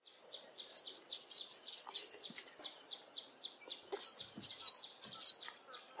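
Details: A male Cabanis's bunting singing from the top of a tree gives bright, high, slurred whistled notes in two quick phrases of about eight notes each, with a brief pause between them.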